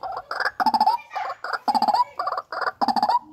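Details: Harsh, rhythmic croaking from a captive-bred white-breasted waterhen, grouped in pulsing clusters of three to five notes, repeated almost every half second.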